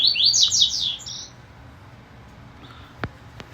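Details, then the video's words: Double-collared seedeater (papa-capim) singing on 20 June at 10:43: a brief burst of bright, fast, rising and falling chirpy notes lasting about a second, followed by quiet background with two faint clicks. "Papa capim do meu agrado!"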